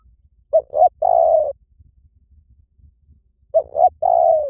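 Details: Spotted dove cooing used as a lure to draw wild birds in: two phrases about three seconds apart, each a pair of brief soft notes then a longer, slightly falling hollow coo, over a faint low background rumble.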